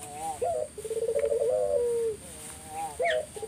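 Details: Spotted dove song used as a lure for other doves: a brief upslurred note, then a rapid pulsing trill sliding into a long descending coo, followed by another short rising note.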